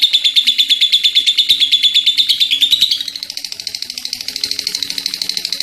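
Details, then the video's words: Lovebird in full voice giving a long ngekek chatter: rapid harsh buzzy pulses, about three per second, loud for three seconds then softer and slightly higher, with a faint low hum beneath. "Love Bird gacor ngekeek panjang"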